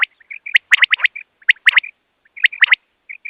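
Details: Common quail call used in trapping. Sharp clipped notes in quick clusters of two and three are interleaved with soft short whistles, forming busy repeated phrases.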